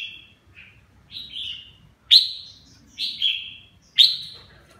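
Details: Singing while it bathes, a red-whiskered bulbul described as 'má lỡ' with a 'mào lân' crest gives five clear whistled phrases, loud sharp onsets sliding down, roughly one each second, with a soft low rumble underneath.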